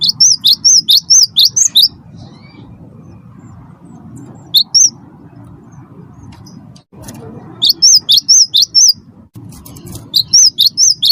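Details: Cinereous tit, wingko type, in rolling, nonstop song used to get other birds singing: rapid strings of sharp, high whistled notes in long bursts, separated by quiet gaps with a low background hum.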